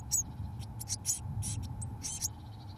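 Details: Eurasian blue tit chicks aged 17 days, fed mealworms by both parents in a nestbox, give a handful of high, wheezy hissing bursts, then a run of thin faint notes near the end, over low background hum.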